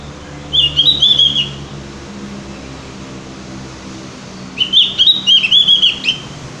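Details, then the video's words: Javan grey-throated white-eye song played as a lure to make birds sing often: two short bursts of fast, bright, slurred chirps and twitters, with a low steady hum in the background between them. "pancingan burung opior jawa atau cucak gentong agar rajin bunyi"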